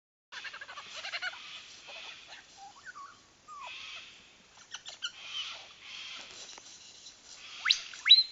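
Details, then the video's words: Lyrebird in the Dandenong Ranges National Park, courting while imitating blaster noises: a jumble of harmonic buzzy notes, sharp clicks and short swooping tones, ending in quick rising laser-like sweeps. "Lyrebird trying to woo making blaster noises"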